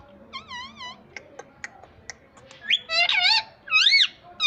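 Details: Green ringneck parrot kept as a talking pet: a soft wavering note, a run of faint clicks, then a loud quavering cry and a final rising-falling squawk.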